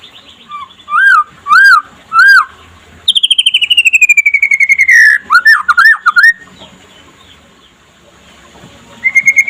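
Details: Daytime song of a white-rumped shama (murai pastol), played to make other shamas sing: three loud arched whistles, a long gently falling whistled trill, then quick rising-and-dropping notes, with quiet gaps between phrases.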